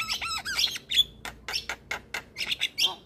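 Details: Javan myna singing vigorously, used to coax silent or stressed mynas into song: sliding whistles, squawky high notes and clipped chatters follow one another quickly, with a clear pure whistle near the one-second mark.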